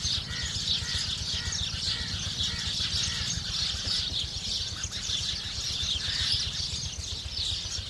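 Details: House sparrows feeding, a flock giving a steady, dense chorus of overlapping high chirps and twitters that never pauses, over a low rumbling hum in the background.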